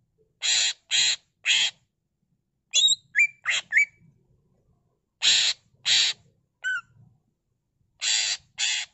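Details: Energetic greater green leafbird singing rich in isian phrases: raspy, broad screechy notes given in runs of two or three, broken up by a short stretch of thin rising whistles and a brief falling whistle.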